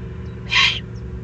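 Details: Excited Eurasian eagle-owl chick in the Eifel, 21 June 2020, giving a single drawn-out, raspy begging hiss about a third of a second long over a fairly strong low hum.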